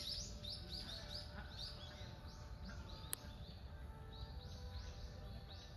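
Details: Common kingfisher in Zenpukuji Park, Tokyo, 28 November, smartphone recording: a brisk series of shrill, arched, descending whistles repeated several times a second, one sharp click midway, with constant low-frequency rumble beneath.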